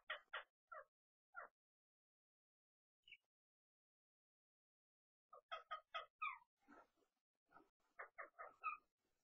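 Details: Rose-ringed parakeets in Tokyo, Japan, on 21 May 2020, two wild birds visiting a flightless captive one; soft, short, nasal chattering notes in quick bursts, a quiet pause, then a denser run of varied chatter.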